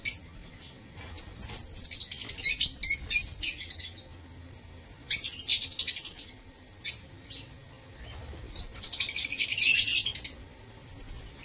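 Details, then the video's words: Caged lovebirds in a breeding aviary, 15 April 2024, produce clusters of rapid, high, squeaky chirps, quieter gaps, and a final buzzy, shrill burst. "Aviary Lovebirds"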